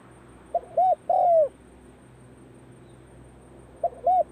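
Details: A spotted dove practises its call as the cold season begins. It gives a soft three-part cooing phrase, ending in a longer slurred hoot. After a pause of about two seconds, the first notes of the next phrase follow.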